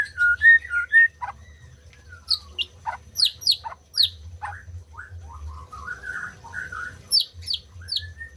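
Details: White-rumped shama song used to stimulate silent birds to sing: varied whistled phrases around mid pitch, interspersed with sharp rising upsweeps and short chirps, with a low hum underneath.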